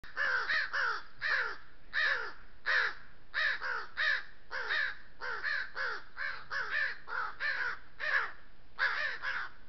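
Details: A group of crows in the oak woodlands of the Southern Sierra Nevada harass a lone thirsty coyote at a water trough, cawing in disapproval. About fifteen harsh, hoarse caws come in quick irregular runs of two or three.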